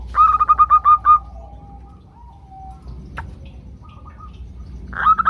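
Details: Female zebra doves in a group calling to males, played to prompt birds to sing. A quick run of about eight clear coos opens, then softer distant notes, and a new series starts at the end.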